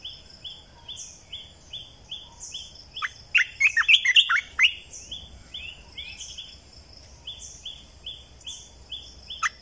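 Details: Red-eyed bulbul lure song recorded in 2020: one rich, bubbling phrase of fast mixed notes in the middle, surrounded by a constant train of brief upslurred whistles from another caller.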